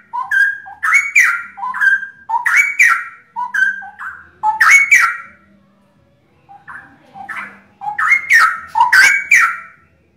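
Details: Kept straw-headed bulbuls, three birds of a loud-voiced Indonesian contest favourite, pour out two long bouts of fluty, bubbling whistled phrases separated by a short quiet gap.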